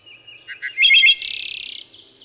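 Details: Short wood thrush phrase: faint soft lead notes, two low chirps, a rich warbled flute and a long, bright, buzzy trill high above.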